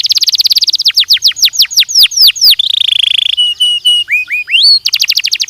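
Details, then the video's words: Belgian canary singing a training song: fast trill of high notes, then a run of steeply falling whistled slurs, a buzzy rattle, clear flat whistles and rising swoops, ending in another rapid trill. "ESPETACULAR canário belga,,! 30 MINUTOS DE TREINAMENTO DE BELGIUM CANARY VOCÊ VAI CANTAR MUITO"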